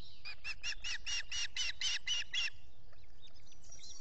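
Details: Wild osprey at a nest in the Finger Lakes region, US, as the male feeds chicks, early morning of 14 June 2021, recorded by a solar-powered nest camera: a run of about eleven rapid, evenly spaced piping chirps, roughly four per second, over steady rumbling noise.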